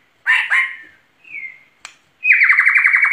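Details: Gacor singing white-rumped shama, murai batu, 2021: two rich whistled notes, a soft falling whistle, a sharp click, then a rapid pulsed trill at even pitch.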